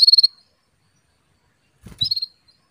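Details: Female Atlantic canary calling to a male to prompt his singing: two short bursts of rapid, high, pulsed chirps, separated by about one and a half seconds of silence, with a low thump under the second burst.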